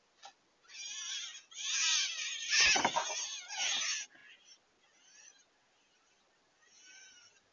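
A gray catbird gives a few seconds of harsh, scratchy, jumbled notes, then fainter squeaky, mewing phrases after short pauses, with some thumping handling noise.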